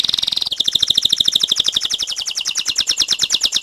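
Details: Canary song for exciting males and bringing the female into mating position: a quick, high chattering trill shifts into a very rapid, even roll of bright pulses, sustained throughout.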